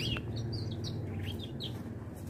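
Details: Canary singing thin, high chirps and quick downward-sweeping notes at irregular intervals over a constant low-pitched hum.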